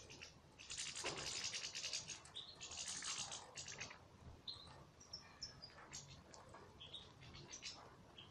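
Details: Goldfinches in an aviary: two loud bursts of dense, buzzy twittering early on, followed by scattered bright, short chirps and tinkling notes several times a second against a soft background hum.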